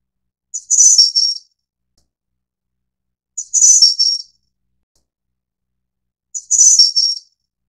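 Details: Snowy-browed Flycatcher, subspecies innexa endemic to Taiwan, delivering three identical brief, piercing high phrases of clustered notes that step down in pitch, evenly spaced about three seconds apart in a silent setting.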